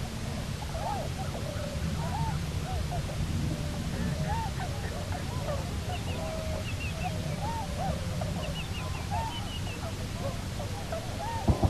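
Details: Bermuda petrel (cahow) pair back at their nesting site on Nonsuch Island, 29 October 2018. Squeaky, wavering calls repeat steadily throughout, with faint higher overtones above a strong low rumble of wind or surf.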